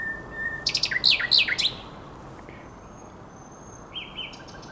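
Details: Common nightingale singing by the Żerań Canal on the night of 23–24 April 2022: a brief burst of rapidly repeated, loud, sharp descending notes, then near-silence with a faint high whistle and a short trill near the end.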